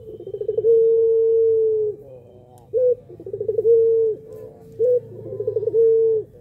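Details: Cooing of a puter pelung dove used to stir other doves into calling: long sustained level coos, each introduced by a brief clipped note and a rapid stuttering series of pulses, repeating every two to three seconds.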